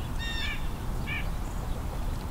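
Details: Blue jay (Cyanocitta cristata) during a winter Christmas Bird Count gives two harsh, nasal calls: a longer slurred one, then a short clipped one a half-second later, over heavy low wind rumble.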